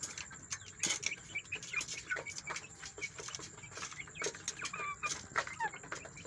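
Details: Fresh chicks reported squabbling: a dense stream of high, short peeps and chirps from several birds, with clicking and rustling and a steady hum in the background.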